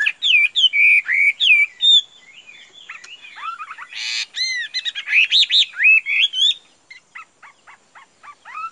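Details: Loud, rich song from a caged Chinese hwamei: strong slurred whistles, a harsh noisy burst mid-phrase, a fluent warble of rising notes, then softer clipped chips.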